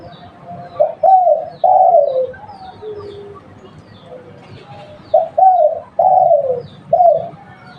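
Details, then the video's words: Spotted dove of a local strain used for luring. Mellow cooing phrases of clipped notes end in a drawn-out, slightly descending coo. Two bursts come about four seconds apart, with a soft lower note between them. "Tekukur lokal buat pancingan"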